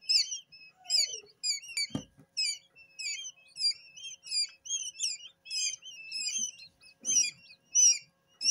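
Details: Quail chicks only a few hours old, just hatched and still wet from the incubator, in a brooder indoors. Many chicks give high thin peeping whistles, rapid overlapping chirps about once or twice a second, with a few soft knocks.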